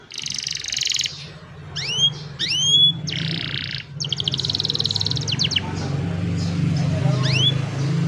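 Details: Young canaries singing to train lazy canaries, cellphone recording; a buzzy trill opens, then paired rising whistles, another buzz, a long rapid pulsed trill and a final upslur, with steady low background hum.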